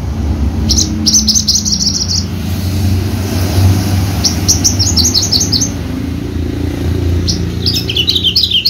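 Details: Javan bushlark kept for singing competitions gives scattered clusters of high, quick chirps and twittering notes amid steady low background noise.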